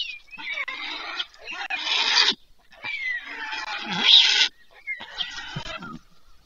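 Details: White stork chicks on a nest in Pyriatynskyi National Nature Park, Ukraine, being fed in the evening on 21 July 2024; harsh, hoarse wheezing begging calls in bursts of about two seconds, separated by short pauses.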